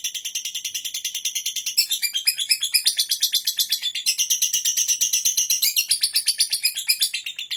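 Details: Shrill, rattling lovebird ngekek, fast repeated chirping notes run together into one unbroken, scratchy trill that swells louder midway and keeps going to the end.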